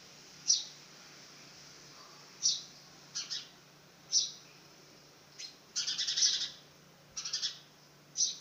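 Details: House sparrow fledgling attempting its first flight, giving sharp high chirps one at a time every second or two, with a brief rapid cluster of notes near the end over a steady low hum.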